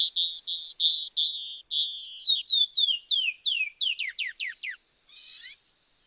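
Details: Canyon wren (Catherpes mexicanus) mated pair duetting in response to a territorial intruder: clear, high whistled notes tumbling downward and quickening into a descending cascade, ending in a harsh buzzy burst.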